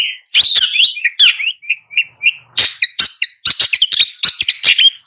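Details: Long-tailed shrike delivering a jumbled song of high thin whistles, short warbled phrases and harsh scratchy notes, each burst loud and brief, with quick pitch changes throughout.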